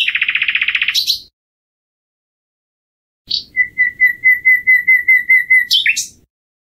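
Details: Common nightingale, a migratory insectivorous bird of Europe and Asia, singing in summer: a rapid buzzy rattle of about fifteen pulses, a pause, then a long series of evenly repeated pure whistled notes ending in sharp high flourishes.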